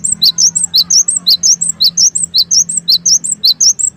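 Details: Steady lure song of gelatik wingko, the cinereous tit, intended to make birds respond: four seconds of evenly paced, piercing high chirps, sharp downslurred notes alternating with higher whistles, over a constant faint low hum.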